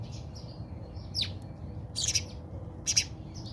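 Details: Fighting house sparrows in a South African backyard give a downward-sweeping chirp, then clustered harsh double chirps, with soft faint calls between and a low rumble underneath.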